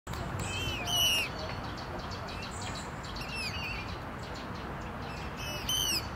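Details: Common moorhen at Tivoli landscape park, Ljubljana, Slovenia, 11 September 2023, giving sharp, harsh, downward-slurred calls, one near the start and another near the end, over a steady background hiss.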